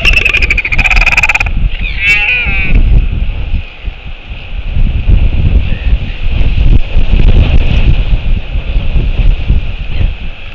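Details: Northern Royal Albatross at Taiaroa Head, New Zealand's South Island, on 14 October 2022, back to socialize and display at breeding season's start, giving a brief, rasping, bleat-like display call with rattling clatters over heavy, steady wind rumble.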